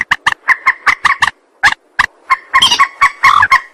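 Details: Rail calling for use as a trapping lure, a quick run of short, clucking notes about every quarter second, then harsher, overlapping, more strident notes near the end.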